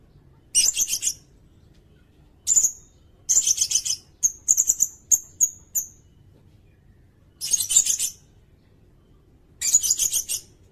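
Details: Sirindet singing, recorded as tutor material for cage songbirds: repeated high, buzzy chattered bursts of several pulses, plus a run of short sharp high notes in the middle, with brief silences between phrases.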